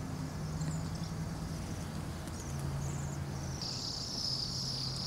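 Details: Bohemian waxwings from a flock of around 200-300 in Anchorage at minus 8 degrees F: scattered high trills at first, swelling into a strong sustained sibilant chorus near the end, with low droning city noise.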